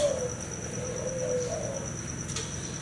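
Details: A spotted dove male of thai hau 4 style that has sired several broods utters faint, short, gliding coos in the first half, then falls quiet over a constant high whine.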